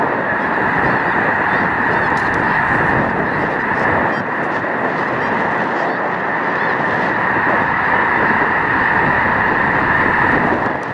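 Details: Huge wintering flock of over a million Snow Geese at Loess Bluffs National Wildlife Refuge, 21 February 2020, on a beautiful day; a dense, continuous roar of overlapping honking calls with no pauses.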